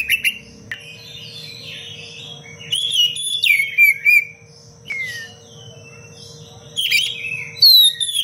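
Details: Oriental magpie-robin masteran song in the 'cengkok rapat pedas' style. Scattered bursts of bright whistles and descending slurs are broken by quieter pauses, over a steady low electrical hum.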